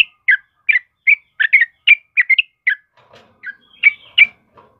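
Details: Lively chirping of a yellow-vented bulbul, meant as master song for training captive birds: crisp, slurred notes at about one per second, some doubled, with a soft murmur near the end.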